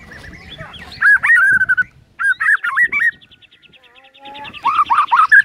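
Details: Morning lure song of a white-rumped shama showing its repertoire: loud, looping whistled phrases in short bursts, a brief pause, then rising, slurred notes building at the end.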